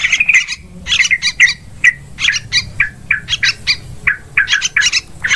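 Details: Yellow-vented bulbul lure calls for hunting in forest, rice fields and plantations: grating squawks and clipped chirps in irregular groups, separated by brief quiet gaps.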